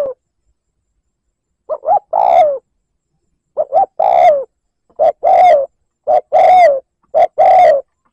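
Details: Spotted dove lure call in the 'liêu lỡ gáy gù' style, used to provoke a rival: low, hollow cooing phrases, each a quick double note followed by a longer drawn, slightly falling coo, repeated roughly every one to one and a half seconds over a quiet background.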